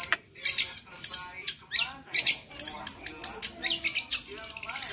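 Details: Lively long-tailed shrike tutor song packed with fills: dense high chirps, bright whistled notes and rapid ticking phrases run together with hardly a pause.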